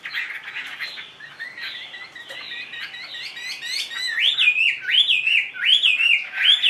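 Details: Caged, tame Chinese hwamei singing indoors: varied warbled phrases building from softer chattering to loud looping whistles that rise and fall, repeated in quick succession toward the end.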